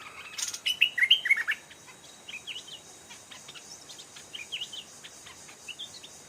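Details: Stripe-throated bulbul at a trap with a caged decoy, answered by an aggressive old wild bird; a loud opening flurry of sharp, slurred whistled notes, followed by softer scattered chirps and distant replies amid a constant high hiss.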